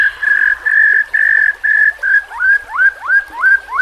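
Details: Captive-training song of a White-rumped shama: five level whistled notes, then a quicker run of upslurred whistles, each rising sharply.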